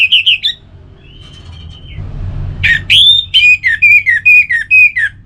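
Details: Orange-headed thrush song: a few quick looping whistles and a level sustained whistle, then a loud varied run of sharp notes and repeated short downslurred whistles at a rapid pace.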